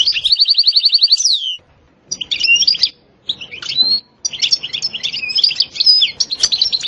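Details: European goldfinch song, setsta and betbta style, opening with a fast even trill that ends in a downslurred note, then broken bursts of jangling twitters.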